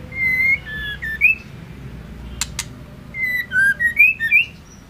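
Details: Female white-rumped shama singing to provoke and excite males into song: clear whistled phrases, rising and falling, in two bursts separated by a pause, with two sharp clicks in between.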